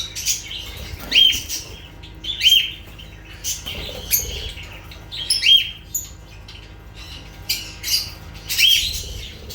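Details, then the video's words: Lovebirds calling with sharp, shrill chirps repeated irregularly every one to three seconds, mixed with raspy scratchy notes and quieter twitter between them. "Sounds of lovebirds"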